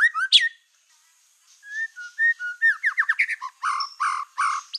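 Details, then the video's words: White-rumped shama song, used to provoke other shamas: a sharp opening burst, a pause, then soft low whistles leading into rapid falling slurs and coarse repeated buzzy notes. "PANCINGAN MURAI BATU EKOR HITAM GACOR, SEKALI DENGAR AMPUH BIKIN MURAI APAPUN LANGSUNG EMOSI"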